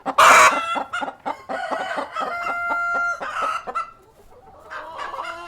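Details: Cockerel and hens on a farm, opening with a loud, harsh squawk, then clucks and long steady nasal tones, with quieter calls trailing off.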